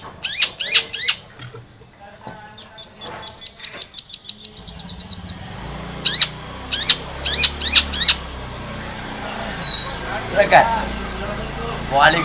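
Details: Long-tailed shrike in vigorous song meant to stir a non-singing shrike into replying: a fast accelerating run of sharp repeated notes, then loud slurred chattering phrases at intervals with fainter chirps between.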